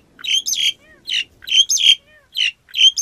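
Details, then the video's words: Black-collared starling singing: harsh, scratchy, squawking bursts in quick phrases of two to three notes, with short gaps between them and a few faint softer notes underneath. "Tiếng Cà Cưỡng hót"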